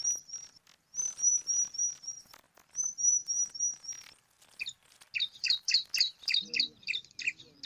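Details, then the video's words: Five bar-winged prinia chicks compete for food at a nest in alang-alang grass: thin high whistled notes held in short runs, then a burst of harsh, rapid, repeated chirps about four per second. "Lima Anakan Burung Ciblek Rebutan Makan"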